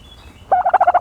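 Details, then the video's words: Dust-bathing turkey giving a quick, rattling gobble of closely spaced guttural pulses that begins halfway through and runs to the end. "the special noises of a turkey bathing in dirt"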